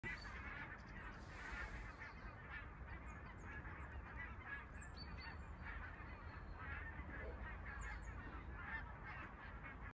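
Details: Greylag geese in Nõmme, Tallinn, Estonia honk in a harsh, nasal chorus of overlapping calls over steady low rumbling background noise, with a few thin higher bird notes.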